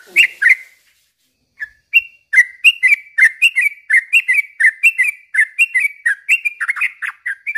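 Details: Lively 'gacor' song of a yellow-vented bulbul, used as a lure and tutor for kept birds; after two opening notes and a pause, bubbly warbled two-note phrases repeat steadily, about one and a half per second.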